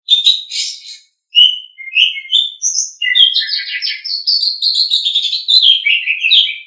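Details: Asian pied starling (jalak suren) song used as a master recording for training songbirds: varied whistled, chattering and squeaky phrases. Harsh bursts open, then a short pause, then a continuous warbling stream of rising and falling notes.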